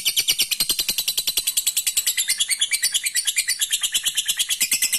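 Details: A lovebird in full ngekek, a long chattering song meant to provoke rivals and build a fighter's mentality, pours out rapid, high, rattling pulses steadily for the whole five seconds.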